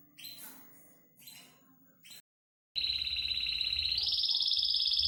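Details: Caged canary in Indonesia, with a few seconds of scratchy, noisy sounds and a pause before a loud, fast, even trill begins. The trill holds steady, then steps up higher and continues to the end.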